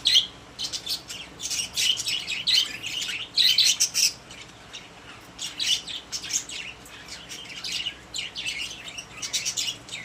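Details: Several pet budgerigars in a cage keep up busy, high chirping chatter: bursts of short sharp tweets and scratchy notes in clusters, with brief pauses between flurries.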